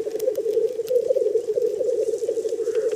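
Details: Black grouse males at a spring lek in the wild, competing for females; a continuous low, bubbling, dove-like rolling murmur pulses steadily throughout, with faint scattered clicks above.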